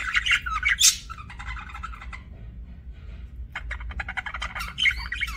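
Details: Budgerigars chirping: an opening burst of loud warbled squeaks, a quieter stretch of soft chatter, then renewed rapid chirps.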